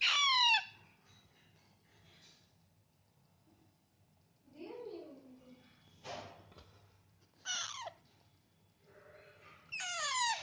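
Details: Baby parrots feeding themselves give loud, harsh squawks that slide downward, opening and closing the stretch, with softer chirps and scraping noises in between.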